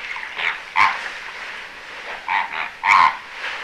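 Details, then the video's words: Immature greater flamingos in winter at a busy bird observatory in the Aiguamolls Natural Park, Spain, 25 January 2022: a flock chatter of short nasal honks, two louder ones standing out, with many fainter birds calling behind. "FLAMANT Rose/Immature/Hiver/Cris"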